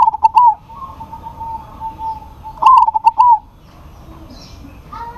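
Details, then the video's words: Zebra dove of local stock singing to draw a rival's reply: two trilled coo phrases about two and a half seconds apart, clicky starts and rolling ends, while a faint steady coo from another dove runs underneath. "PERKUTUT LOKAL GACOR MEMANGGIL LAWAN PASTI NYAUT"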